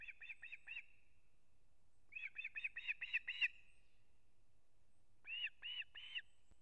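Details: Osprey at its nest in Kurzeme, Latvia, September 3, 2024, as the male brings a whole fish for the chick: three bursts of rapid, high, piping whistles (four, seven, then three notes) separated by short pauses.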